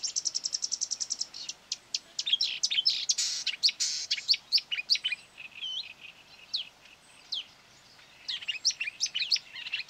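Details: A marsh warbler, lured by playback of its own song from a hanging mobile phone, sings a fast varied jumble of high chattering and squeaky notes, opening with a rapid run of identical ticks, attacking and trying to outsing the phone; quarry area, 9 May 2020.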